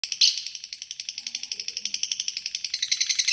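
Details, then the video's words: Fighter lovebird giving its long ngekek trill, a fast, even chatter of sharp high pulses running unbroken for over three seconds and swelling slightly at the end; no other sounds. "Pancingan lovebird Fighter Ngekek Panjang | Masteran Lovebird Ngekek Panjang"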